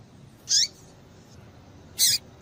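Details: A female double-collared seedeater gives two thin, high, clipped calls about one and a half seconds apart, the sound meant to provoke males. Low hiss fills the gaps.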